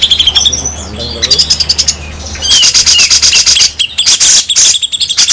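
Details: Harsh besetan singing from grey-cheeked bulbuls, local versus Sumatran, for training other birds. Squeaky chirps give way to loud, grating buzzy rattles and a few sharp upward-flicked whistles, over a low background hum.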